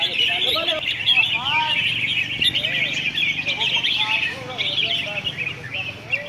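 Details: At a red-whiskered bulbul singing competition in Hat Yai, Songkhla, Thailand, several birds deliver sweet, rolling whistled phrases that slur upward and downward. Dense high chirping from many birds fills the background.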